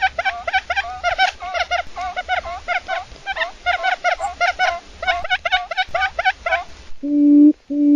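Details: Quail calls used as a lure for trapping quail: rapid bursts of short, nasal, slightly rising notes, a few each second, followed at the end by two steady, low, humming tones.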